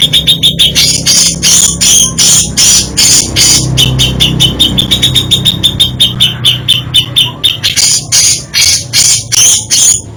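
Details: Grey-cheeked bulbul delivering varied isian song: long run of rapid, clipped, repeated chattering notes with bright whistled tones mixed in, uneven rhythm, faint low hum beneath.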